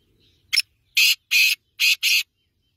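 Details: Black francolin giving a short sharp note, then four loud harsh, rasping notes in a quick, grouped rhythm.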